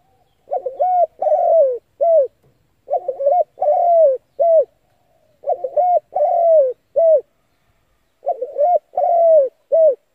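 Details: Spotted dove played as a trapping lure to stir decoy birds, calling four steady cooing phrases roughly every two and a half seconds. Each phrase is a trilled opening, a long descending coo and a short final note.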